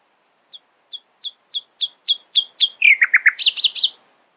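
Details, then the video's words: Nightingale singing in the early morning: soft single notes repeated about three times a second and swelling steadily louder, breaking into fast, sweeping, buzzy notes. "Nightingale screamed in the early morning, proudly displaying her poetic singing voice."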